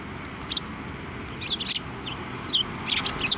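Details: Sparrows flying onto a hand for food at a Tenmangu shrine on 23 November 2023; a few sharp, high chirps in brief clusters, with steady low background noise.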